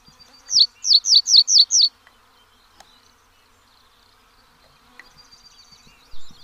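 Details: Pallas's bunting, a species native to several Asian countries, giving a burst of six quick, high, buzzy notes in under two seconds, followed by quiet with a faint later phrase.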